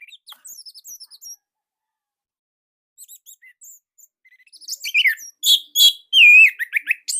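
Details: Orange-headed thrush in Indonesia, tight loud song style. Faint scratchy notes and soft chips with long gaps, building to loud ringing whistles and harsh broadband notes toward the end.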